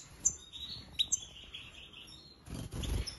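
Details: European goldfinch (Carduelis carduelis), a mutation bird, giving a few bright, high twittering notes of song over a thin sustained trill, followed by a burst of low rustling or flapping.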